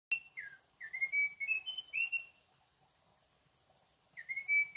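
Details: Munchique wood wren, endemic to Colombia, singing at Alto La Eme: a short series of clear, pure whistled notes, some sliding down and others level, then a pause before the phrase starts again.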